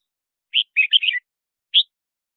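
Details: Single quick phrase of a red-whiskered bulbul, played to attract wild birds: a sharp chip, a tumbling run of warbled whistles, then one final rising note.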